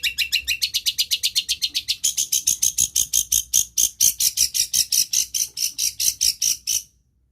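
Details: Cendet, or long-tailed shrike, imitating other birds produces a steady, fast series of sharp, high pulsed notes, several per second, rising slightly in pitch partway through before stopping abruptly.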